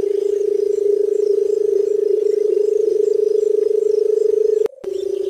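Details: Low, humming purr from a barred buttonquail, held unbroken for almost five seconds. It cuts out briefly near the end, then resumes at the same pitch. Faint background chirping.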